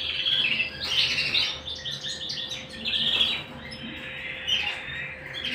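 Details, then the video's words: Canary at home singing in bursts of rapid chirped trills, each phrase about a second long with short pauses between, high and sharp, over a quiet constant hum. "canary bird - canary singing - canary sounds - canary singing at home"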